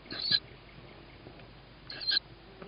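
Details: Tawny owl owlet calling for food after hearing its mother, evening of 21 May 2017 at 21:38, before a feeding. Two loud, harsh, hissing screeches about 0.3 seconds long, spaced nearly two seconds apart, over quiet background hiss.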